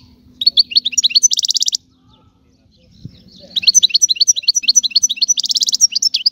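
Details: European goldfinch singing: a burst of rapid, high twittering notes ending in a dense buzzy trill, a short pause, then a longer run of liquid chirps and another buzzy trill, over a faint low hum.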